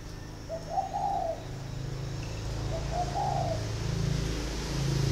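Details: Male spotted dove, caged six years, large northern bird with red eyes and giọng thổ style; two hollow coo phrases roughly two seconds apart over a steady low hum.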